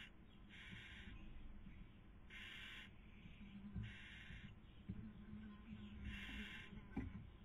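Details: At a barn owl nest webcam in Cabañeros National Park, Spain, in the 2020 breeding season, the female feeds while the male tries to sleep; four spaced, breathy screeching hisses sound over faint knocking.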